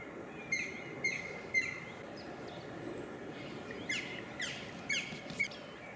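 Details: Black woodpecker (Dryocopus martius) during courtship, waterworks area of Tilburg, Netherlands, 5 April 2016, giving short, sharp, ringing call notes, singly or in quick pairs about twice a second, over a steady rushing background hiss.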